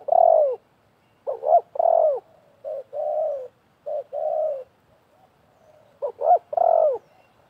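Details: Trapping scene in 2024 where a decoy spotted dove and a wild one call in competition; mellow coos, each phrase a couple of short notes followed by a sustained, slightly falling tone, with brief silences between.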